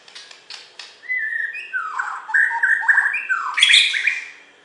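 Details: Champion Borneo white-rumped shama from West Kalimantan, Indonesia, singing: a few soft clicks, then clear whistled notes that hold, slide down and step back up, closing with a loud, bright, harsh burst of high notes.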